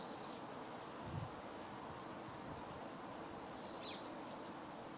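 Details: Two raspy, high hisses from a fledgling little owl, the first at the start and the second about three seconds later, with a brief soft chirp after it.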